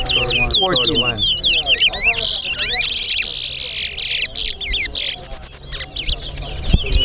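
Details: Chestnut-bellied seed finch, locally towa towa, singing in a contest at Sheriff Street bird ground. It delivers rapid sweeping whistles and trills, prominent over chatter, counting and some music.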